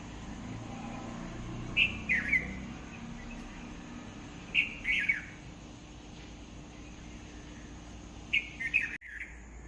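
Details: Bird singing: three short, bright twittering phrases of sharp chirps with a slurred falling note, spaced about three seconds apart, over a quiet steady low hum.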